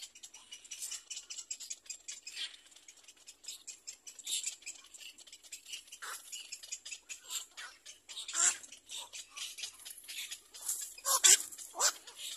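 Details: Little black cormorant about to feed its chick: hoarse, hissing, scratchy calls in irregular high-pitched bursts, several a second at times, with a few louder wheezy squeals near the end.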